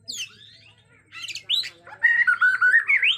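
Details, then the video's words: Agitated Bornean white-rumped shama, natural forest sound: sharp descending squeaks and harsh notes, then a bouncy series of clear whistled notes repeated quickly toward the end. "Murai Batu Borneo Ngamuk suara asli hutan"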